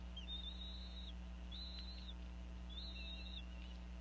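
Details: Female bald eagle calling over a fish while the parents feed eaglets at a Northeast Florida nest in the afternoon: three drawn-out, high, piping whistles, each held about half a second, above a steady low hum.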